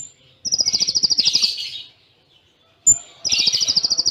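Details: Cililin-style song of the konin, or Kolibri Ninja sunbird, with tight pauses: a long rapid buzzing trill, a thin high whistle, then the trill again.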